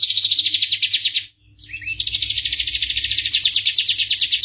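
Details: Starblue canary song: a rapid buzzy trill, a brief pause broken by a short rising note, then another long, fast, pulsing trill held to the end; low hum throughout.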